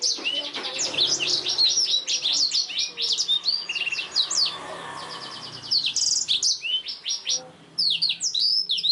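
A black-throated canary sings a fast, high, unbroken run of varied chirps, trills and sweet whistled phrases, with a brief buzzy note near the middle.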